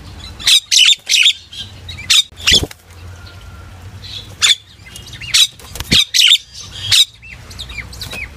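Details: Common myna singing to call its flock, scattered harsh squawks and short whistled twists in irregular clusters against a quiet low hum.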